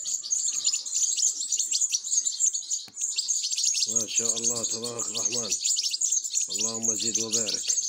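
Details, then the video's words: European goldfinch chicks begging during feeding: unbroken high, thin chirping from several young, with two short bursts of a lower, tonal wavering sound in the background. "تزقيم فراخ الحسون"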